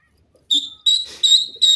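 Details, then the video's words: Partridge of the Irani teetar type, from a pair, giving four loud, shrill, slightly harsh notes in quick succession, roughly one every third of a second, against an otherwise quiet background. "irani teetar wonder pair,partridge bird best pair"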